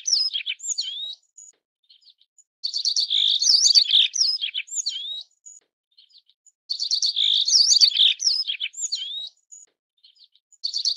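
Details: Yellow-browed bunting (Emberiza chrysophrys), song.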